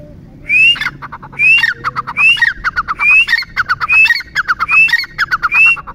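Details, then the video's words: Repeated loud calls of a Grey francolin: each phrase opens with a rising whistled squeal and trails into a run of quick clipped notes, recurring close to once a second. "Teetar Ki Awaaz"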